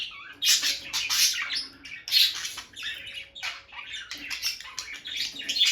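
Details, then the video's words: Two peach-faced lovebirds, a bonded couple whose female keeps entering the nest box, give harsh squawky chirps in clustered bursts, some louder and rasping, indoors. "Parrot Chirping Sounds – Relaxing Lovebird Couple Vocalizations"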